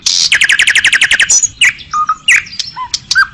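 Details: Asian pied starling song: a rapid series of about twelve chattering notes, followed by varied whistles, squeaks and sharp clicks.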